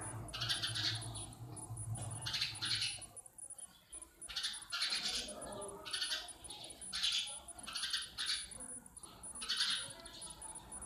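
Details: Sparrows in a natural setting, chirping in repeated bright bursts roughly every second, uneven in spacing, with a constant high hiss and a low hum early on.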